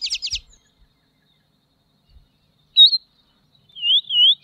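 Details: Tropeiro seedeater (Sporophila beltoni) singing: a quick burst of several sharp, descending chipped notes, a long pause, then a clear high whistled note and a wavering, warbled phrase, against an otherwise quiet background.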